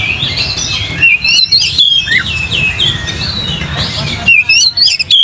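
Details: Oriental magpie-robin song played as a lure to provoke another bird into singing: sharp whistled notes and quick slurred phrases near the top of the range, over a dense background of other chattering birds and a low hum.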